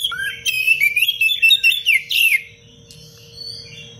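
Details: Dense, sharp cengkok rapat song of an Oriental magpie-robin that sings constantly, used as a tutor recording for other birds: two seconds of rapid rising and falling whistles and chatter, then quiet with faint distant notes.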